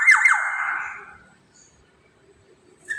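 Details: Single harsh, rasping call from a Black-naped oriole, sliding downward and trailing off over about a second, then near silence with a brief sharp note at the end.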